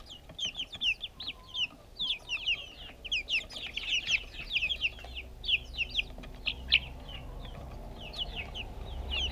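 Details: A group of backyard chicks happily feeding, filmed with a GoPro; rapid high-pitched peeping comes in dense overlapping bursts of sharp downslurred notes, thinning toward the end, with light pecking and rustling.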